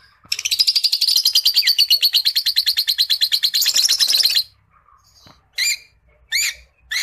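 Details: Creamino Rosy-faced Lovebird singing: a fast, dense chattering trill of rapid repeated notes lasting about four seconds, followed by three short separate chirps.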